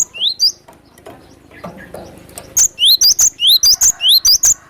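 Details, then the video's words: A wild cinereous tit, recorded as lure sound, opens with a couple of high whistles, pauses amid soft background noise, then delivers a quick, regular string of shrill upward-sweeping notes. "GLATIK BATU PIKAT DENGAN SUARA ASLI ALAM LIAR"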